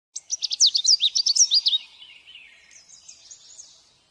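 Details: A Canada warbler sings a rapid, jumbled burst of sweet, high chips and slurred notes, about a dozen in under two seconds, trailing into softer twitters.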